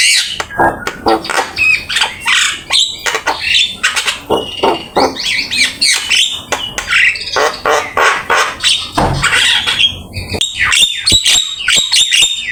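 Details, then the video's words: Javan myna singing actively, full of fill-in phrases, used as a training master song: dense run of harsh squawks, rasping notes and sharp whistled slurs, delivered in rapid bursts with hardly a pause. "Suara jalak kebo gacor !! Full isian ,masteran asik"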